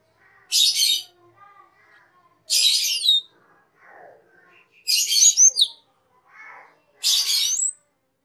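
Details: Training master song of a cucak keling, a cage bird. Four loud, harsh, hissing rasps arrive about every two seconds, with soft twittering notes in the gaps.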